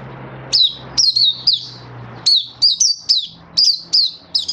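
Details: Caged Oriental white-eye recorded 24 February 2023, singing a lively run of short, high, sweet chirps. Each note dips sharply, and they come in quick clusters of two or three, separated by brief pauses, over a faint low hum.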